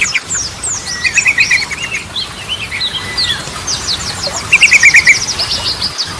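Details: Yellow-vented bulbul (trucukan) in full song, a style used as a lure to restart birds that have gone quiet. Short rapid trills and a long thin whistle around the middle, mixed with dense high twittering chirps throughout.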